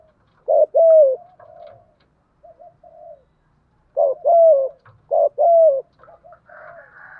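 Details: Spotted dove used as a decoy, cooing in thúc gù style to attract wild doves; paired short-then-long coos come in two bursts with quiet murmured notes in the gap.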